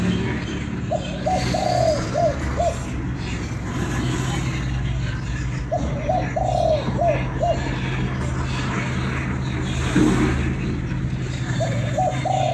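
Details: Vietnamese spotted dove calling: three similar phrases of short coos and a drawn-out note, repeated every five seconds or so, over a constant vehicle rumble.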